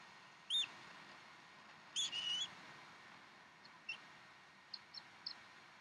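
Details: Decorah bald eagle nest, 15 April 2012 at 6:00 during a feeding of fresh duck; two sharp high chirped calls, then scattered faint clicks and peeps over a low steady hiss.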